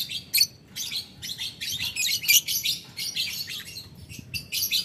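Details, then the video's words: Lovebird calling a rival in the ngetik ngekek style: rapid bursts of harsh, high, scratchy chatter, each burst under half a second with short gaps, over a faint low background hum. "Lovebird Memanggil Lawan Ngetik Ngekek - Tidak Lama Labet Auto Nyaut Ngetik Ngekek Panjang"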